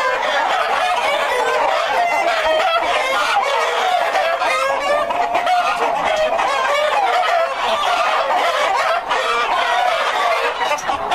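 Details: Breeder flock of White Plymouth Rock chickens raised for purebred hatching eggs, heard as an unbroken chorus of many overlapping clucking and cackling voices, with harsh, slightly nasal calls layered thickly and no pauses.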